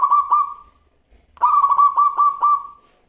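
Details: A local zebra dove with a crystal-toned voice sings actively. A short cooing phrase is followed by a longer one of about five rapid, bubbling pulses that fade into a gentle trailing tail.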